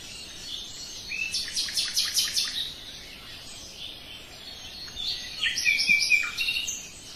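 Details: Common nightingale singing: two bursts of rapid, dry, clicking notes repeated in quick runs, separated by a quieter pause, with faint background hiss.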